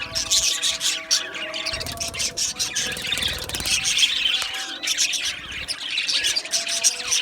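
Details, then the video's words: Budgie colony in an aviary producing loud, unbroken chatter: layered high-pitched warbling, chirps and squeals from numerous birds, with faint lower tones beneath. "Beautiful Australian Budgie birds Chirping Sounds"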